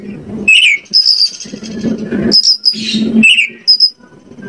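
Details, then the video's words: Oriental magpie-robin song from Indonesia, used to provoke others into singing: drawn-out high thin whistles and short downslurred notes separated by pauses, over steady low background noise. "PANCINGAN KACER AGAR ON MAU NGOBRA !! KACER MANAPUN PASTI LANGSUNG NYAUT..."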